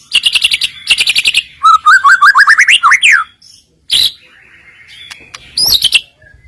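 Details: White-rumped shama filler song played to lure rival birds into singing: buzzy high trills, then a climbing series of whistled notes ending in a downslurred whistle, followed by sharp isolated calls.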